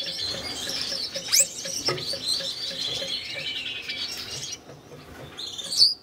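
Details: Red-headed Gouldian finch pair in captivity, courting shortly after being paired for breeding. Dense, high, buzzy warbling with a sharp upswept note fades out, then ends in a brief squeaky chirp. Regular soft ticking in the background.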